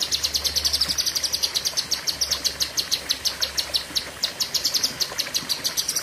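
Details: Cucak kinoi (lesser green leafbird) pouring out an unbroken six-second string of high, sharp, evenly repeated chips, a long fierce 'tembakan' in the 'pedes panjang' style, with a faint low hum in the background.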